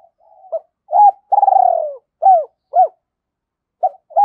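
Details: Decoy spotted dove calling to lure wild birds: soft low murmur, an arched coo, a long rippling coo sliding downward, two rounded arched notes, silence, then short notes starting again.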